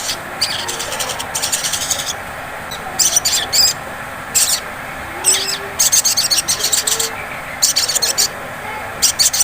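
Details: Sogon (sunbird) ngleper song used as a lure to set off singing. Repeated bursts of fast, high, rattling trills, each about half a second long, alternate with brief gaps over faint steady hiss.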